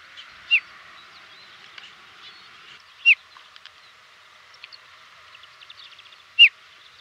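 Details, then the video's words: A desert lark in Morocco gives three short, bright, slightly falling chirps, about three seconds apart, in a slow call over a steady background hiss. "Slow chirpy Desert lark call, hiss"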